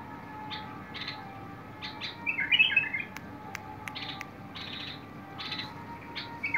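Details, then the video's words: Song of a bulbul recorded 21 August 2022: one rich bubbling warble amid repeated dry buzzy rasps, with a few sharp clicks and a low steady hum. "تغريد البلبل"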